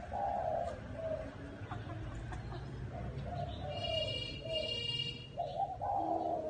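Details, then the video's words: Spotted dove in a small garden cooing in mellow repeated phrases, while a buzzy, tonal sound overlaps in the middle and low hum runs underneath. "Tiếng Chim Cu Gáy"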